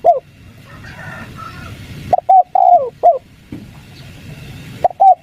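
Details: Spotted dove lure call of the 'kuk 3' type for drawing replies from wild doves: broken, uneven coo notes, some short and clipped, one longer falling coo, with a faint higher bird note early on.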